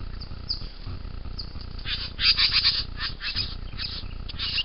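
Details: Young bowerbird giving harsh, rasping bursts, quiet at first, then a dense run of loud scratchy calls from the second second onward, repeated several times a second over a steady low hum.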